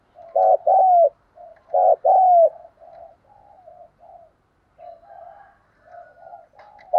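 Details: Captive decoy Spotted dove cooing in deep, hoarse two- and three-note phrases with a longer downslurred final note, given in two loud bursts then continuing more softly, recorded up close with no other sounds.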